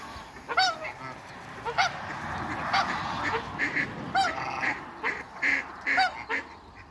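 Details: Farm African geese honking during an encounter with a new arrival: a steady series of short, brassy honks roughly every half second to a second, some overlapping, over a constant low murmur of background noise.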